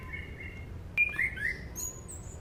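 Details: Sunda pied fantail, recorded as lure song for training birds, gives a short bright whistled phrase that jumps up sharply then slides downward, with softer notes before and after over faint steady hum.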